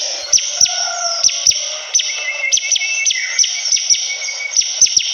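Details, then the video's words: Bar-winged prinia song of crisp, downward-swept notes spaced roughly every half second, with faint lower whistles and a continuous high whine behind. "Suara burung ciblek kristal || prenjak gacor"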